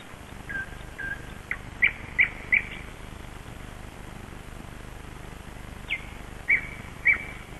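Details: Early dawn at Kasmu, 21 May 2012, with a bird singing scattered short whistled notes, a cluster of three near the start and a few more after a long pause, against constant low hiss.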